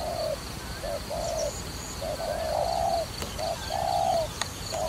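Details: A dove for trapping utters repeated low coos in short-long pairs, with a couple of sharp clicks and faint high calls from other birds.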